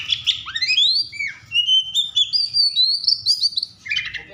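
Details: Agitated Oriental magpie-robin singing to provoke other magpie-robins: a long, fluid run of rising and sliding whistled notes, melodic and continuous, ending in a burst of lower scratchy notes, over faint low background noise.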